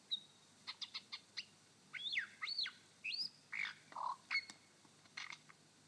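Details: A male superb lyrebird singing on his dancing mound in Sherbrooke Forest Park, Victoria, imitates a tiny scrubwren: sharp high ticks, then quick whistled rising-and-falling slurs and scratchy chattering notes, packed into a few seconds.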